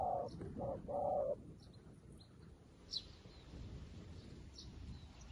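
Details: Spotted dove in use as a decoy, a new bird calling wild doves. A short burst of low, rounded coos opens the recording, then gives way to quiet background with scattered high chirps of other birds.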